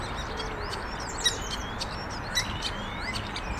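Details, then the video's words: Starling sitting on a branch in the evening with its flock, stretching and chattering; faint, scattered high chirps and short whistles overlap irregularly against a steady low background hum. "evening starling – stretching and chatting with friends"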